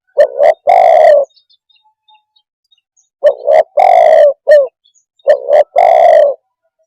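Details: Low, hollow cooing from a spotted dove, repeated in three phrases about two to three seconds apart, each a pair of quick coos followed by one long throaty note and sometimes a short tail note.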